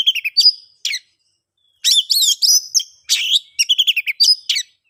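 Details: An oriental magpie-robin delivering ngeplong song, a lure for mute or stalled birds: quick whistle groups, a two-second pause, then dense bursts of sharp whistles and chatter.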